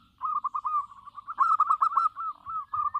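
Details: Local zebra dove singing actively: a long, unbroken chain of rapid, rolling coos that grows louder in the middle and softens toward the end, delivered at a steady mid pitch.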